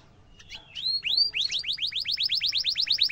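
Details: Canary singing as a tutor for young and adult canaries: soft introductory notes, then rising whistled slurs building into a steady rapid series of repeated upswept notes.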